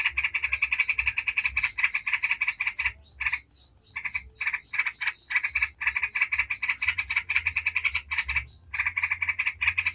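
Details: Prolonged 'ngebren' chatter of a yellow-vented bulbul, used to trigger singing in other bulbuls: rapid buzzy notes in long strings, interrupted by a brief silence around the middle, then continuing steadily.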